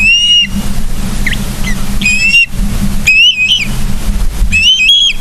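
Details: Ospreys at Charlo, Montana, on 31 August 2023 at 09:36, heard from a live nature cam: scattered whistled chirps, some rising and slurred, in short bursts over a steady low hum.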